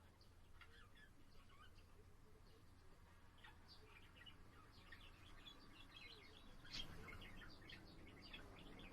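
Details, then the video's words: Pet budgerigar singing indoors, recorded on 7 April: a quiet, continuous chatter of short scratchy chirps and warbles, with faint low hum underneath and one brief louder burst near the end. "セキセイインコ そらちゃんのさえずり"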